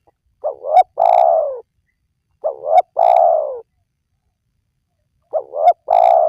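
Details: Spotted dove calling, a recording played to lure wild doves: three phrases, each a pair of quick coos then a long, sustained, slowly descending coo, spaced roughly two and a half seconds apart, with no other sounds.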